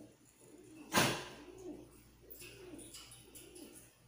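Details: Pet bird at treat time cooing softly in low rounded notes after one loud sudden noise, indoors.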